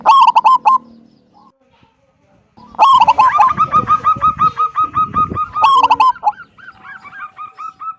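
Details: Zebra dove of local stock singing the deep 'kung' song to entice other doves into singing. Three loud rolling coo bursts, the middle one trailing into a long rhythmic string of short notes, over faint low rumble.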